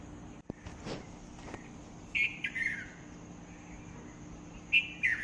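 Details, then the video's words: After a few clicks and knocks, a bird sings two short phrases, each a high clear note falling into a quick slurred warble, set against soft steady hiss. "Bird makes beautiful sounds"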